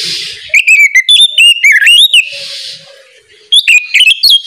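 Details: Oriental magpie-robin in the morning, singing ngeplong style to prompt other magpie-robins to sing. Two bursts of rich, fluting whistles with sharp clicks and downward-swooping slurs, separated by a quiet gap with a faint low drawn-out call.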